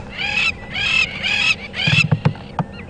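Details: Crowned lapwings flying over an airstrip during a July sunset safari give four loud, harsh, strident calls about half a second apart, followed by low thumps and knocks of nearby handling noise.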